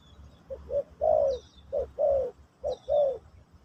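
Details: Spotted dove in the Pesom/Kacuk song style, played to teach a new bird: three phrases of a short coo followed by a longer falling one, with thin high whistles from another bird in between.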